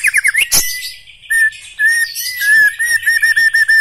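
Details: A black-legged white-rumped shama sings quick chattering notes, then long, clear, level whistles broken by short repeated chips, with one sharp click early on.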